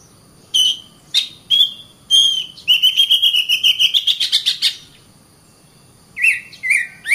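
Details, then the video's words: Kacer, the oriental magpie-robin, sings several separate clear whistled notes, then a long rapid stuttering trill that rises slightly in pitch, a short silence, and two lower whistled phrases. "Kacer Bird Singing"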